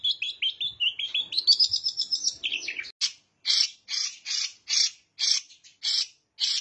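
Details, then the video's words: Long-tailed shrike mimicking bar-winged prinia: a quick rising trill of high notes, then a series of loud harsh buzzy bursts repeated roughly every half second. "Cendet Gacor isian CIBLEK"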